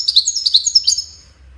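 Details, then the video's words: Goldfinch song, linked to courtship and communication: a quick, liquid twittering run of high musical notes, bright and cascading, lasting about a second before fading out. The background is quiet. "Witness the Majestic Goldfinch Singing"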